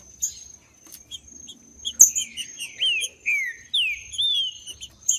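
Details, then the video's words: Wild green-winged saltator singing in the bush, played to fire up a captive male: a brief pause, then a string of clear whistled notes that swoop down and rise again. A thin steady high tone and scattered chips sound throughout. "ESQUENTAR TRINCA FERRO FRIO RÁPIDO FAÇA O TESTE TRINCA FERRO NO MATO PARA ESQUENTAR TRINCA FERRO"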